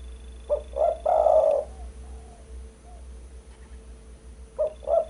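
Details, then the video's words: Spotted dove call used as lure sound for bird trapping: soft low cooing in a two short notes then one long drawn-out coo pattern, repeated after a pause, over a steady low hum. "Suara burung pikat derkuku"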